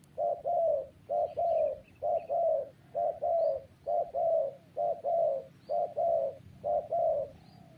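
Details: Steady, regular cooing from a spotted dove: about ten short-long coo pairs at an even pace of roughly one per second. The notes are soft, low and rounded.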